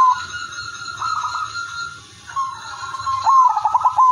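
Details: Perkutut (zebra dove) of the Udanmas Silver line, its lively song meant to prompt other doves to sing: mostly soft, drawn-out cooing, then a loud rolling phrase of rapid pulses at the end, with a faint steady hum.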